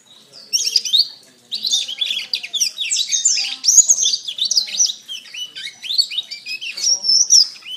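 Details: Canary song used as master training audio: dense, fast high twittering trills and warbled phrases, running almost continuously after a short pause near the start.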